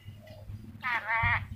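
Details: Sulawesi ornate lorikeet, a hook-billed parrot said to talk well, produces a brief, buzzy, speech-like sound that rises in strength across two linked parts, over a faint low background hum.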